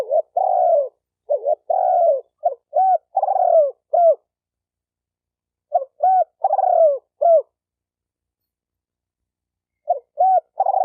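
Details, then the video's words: Spotted dove calls meant to excite decoy, male and female birds: clipped low coos and longer burred, downward-sliding notes in phrases of four to six, separated by gaps of a few seconds in quiet surroundings. "Tiếng chim cu gáy kích bổi kích trống kích mái"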